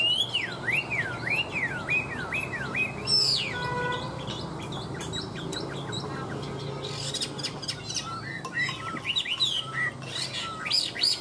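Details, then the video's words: Chinese hwamei in Vietnam, said to sing tirelessly like a machine, opens with a series of wavering looped whistles, then shifts to harsher buzzy notes and scattered sharp whistled phrases. "Họa mi hót như máy - Hót ko bỏ mỏ"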